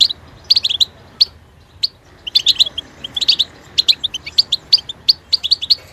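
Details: Twittering goldfinch song: a few spaced single chirps early on, then increasingly dense, tinkling bursts of high, liquid notes and quick trills through the second half.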